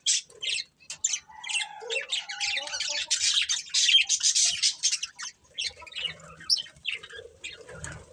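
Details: Budgerigars of a breeding pair chattering rapidly, dense scratchy chirps and warbles running together in the middle, then thinning to scattered short squawks, with a low muffled background.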